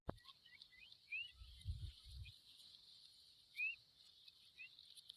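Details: Familiar chat chicks outside the nest give a few thin, rising chirps spaced seconds apart, over a steady high insect hum and low rumbles of wind or handling.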